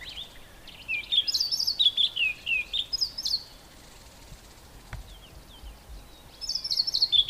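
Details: A White-browed Scrub Robin singing from inside a bush gives its highly repetitive song, a bright, high, varied phrase of whistled notes and trills, pausing a few seconds before starting again; faint background hiss.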